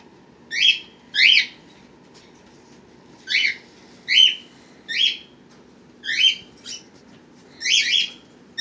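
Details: Pet birds with young born March 31 and April 1, 2018, recorded April 23, 2018: steady series of about ten clear, ringing chirp calls spaced under a second apart, over a low indoor hum.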